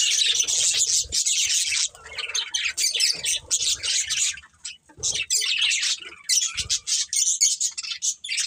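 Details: A breeding pair of budgies twittering in long, rapid bursts of high warbled and scratchy chirps, broken by short pauses, with a few soft low thumps underneath.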